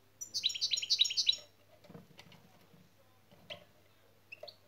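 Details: European goldfinch şak şak phrase from a song lesson: an opening run of about six quick, bright, doubled chattering notes, then faint rustling and scattered soft clicks.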